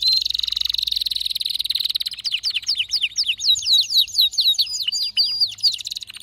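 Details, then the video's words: Canary in vigorous song: opens with a fast buzzy trill held steady, then breaks into quick repeated downward-sweeping whistled notes, about two per second, ending in varied chirps. "هيجان ذكرى كناري سيجبر كناريك على التغريد فورا"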